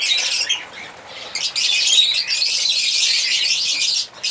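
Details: African lovebirds singing and chirping, a dense stream of harsh, high chattering and squeaky chirps, several birds overlapping with brief pauses.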